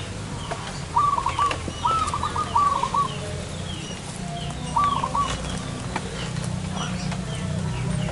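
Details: Zebra dove recorded while being lured in front of a house, uttering short bursts of staccato, trilled cooing notes in three phrases, the middle phrase longest, over a low rumble of background noise.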